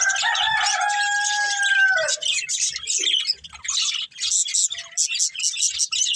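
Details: Breeding pair of budgerigars in a family flock: a long, smooth, slightly falling tonal call fills the first two seconds, then quick high scratchy chirps and twitters patter on irregularly.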